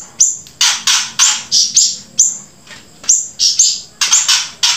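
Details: Grey-breasted prinia in full, energetic song alongside siri-siri song: loud, high, buzzy chirp bursts and thin downslurred whistles, about three per second in steady rhythm.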